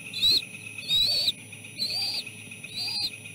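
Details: Three nestlings begging while being fed fish; four high whistled calls about a second apart, each a short arched note, plus faint lower squeaks beneath.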